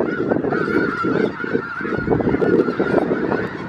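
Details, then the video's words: Snow geese, some 5000 birds wintering in south Grayson County, Texas, February 2018, producing a steady mass of overlapping honks with a few clearer, higher yelps breaking through the flock's continuous din. "Snow Geese Grayson County"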